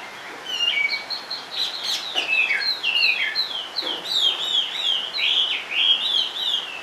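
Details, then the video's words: Chinese hwamei kept in a cage, singing steadily: a fast flowing stream of bright whistled notes, repeated slurred downstrokes and loops in a continuous high melodic run. "HM 454 chơi mọi địa hình bộ to đẹp mướt sách lồng hót bệt dính cầu"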